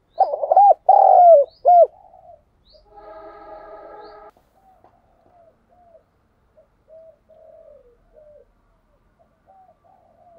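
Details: Thúc gù cooing from a spotted dove kept as a decoy: a loud burst of three throaty coos opens, followed by a rougher buzzy note and a string of faint, distant answering coos.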